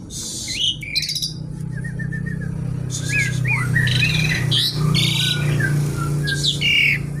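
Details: Javan pied starling performing a kretekan-style song of raspy buzzing phrases, chattered trills and short falling whistles, set against a loud low-pitched hum.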